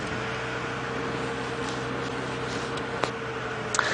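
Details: Early-morning safari vehicle idling with a steady mechanical hum and a few faint clicks, no animal voices heard.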